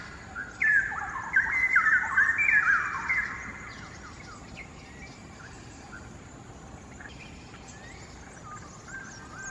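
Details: Straw-headed bulbul singing in a quarry in Singapore, two birds perched far away: a burst of loud bubbling, warbled notes for about three seconds, followed by quieter scattered chirps and background hum.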